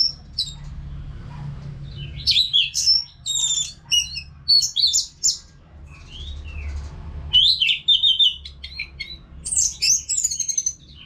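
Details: Orange-headed thrush singing continuously as therapy sound for caged songbirds: varied bursts of high, scratchy and whistled phrases, rising and falling slurs, separated by brief pauses over several seconds.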